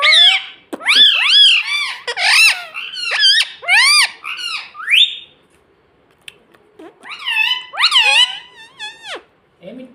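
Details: Talking pet parrot, taught mummy and papa, chattering indoors: a dense burst of nasal, swooping speech-like syllables for five seconds, a quiet gap, then another rapid phrase and a low grunt at the end.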